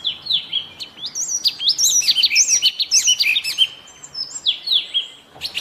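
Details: Yellow tit from Bogor singing a lively series of high, sharply falling whistled notes in quick succession, phrases repeated several times with brief pauses, against a quiet background.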